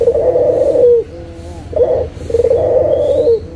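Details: Lure recording of a local Barbary dove for doves that are slow to call: drawn-out rolling coos that dip at the close, each introduced by a brief note, with low hum beneath.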